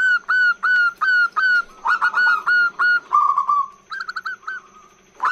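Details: Long call of a female zebra dove used as a lure for males, opening with evenly spaced, clear whistled notes that dip slightly, then sliding into a rolling trill and a few higher chirps; faint steady hum behind.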